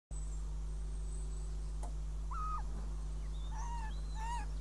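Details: Northern goshawks at a nest in Riga on 5 June 2016, with a mouse brought as prey: a few short, clear, level-pitched calls with harmonics, spaced about a second apart, over a steady low electrical hum.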